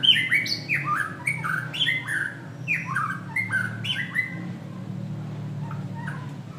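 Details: White-rumped shama singing loud, fast series of bright downslurred whistles and squeaky notes in quick succession, tapering to softer phrases, with a low hum behind.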